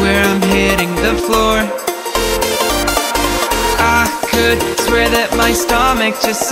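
Loud electronic dance music with a steady thumping beat and bright synth lines throughout; no animal voice is heard.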